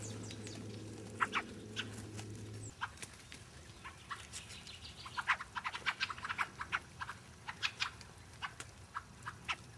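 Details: Several fieldfares at Lee Common on 9 February 2012 give harsh, dry chacking calls in quick, irregular, overlapping bursts, with a low engine hum in the first few seconds.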